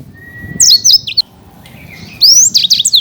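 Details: Black-throated canary, a champion bird, opening with a long thin level whistle, then two short bursts of high slurred twitters separated by a quiet gap.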